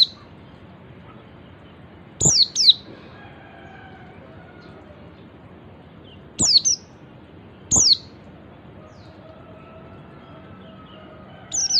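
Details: Oriental white-eye giving its ngalas call, a style used as a master recording to make other white-eyes join in; thin, high whistled notes sliding steeply downward, heard singly or as quick pairs separated by several seconds of quiet.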